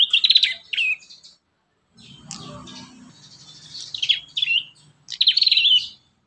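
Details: Young prinia training lure with prinia song: trilled high chirp bursts at the start and end, a rougher low rumbling passage in the middle, and a brief silence between phrases.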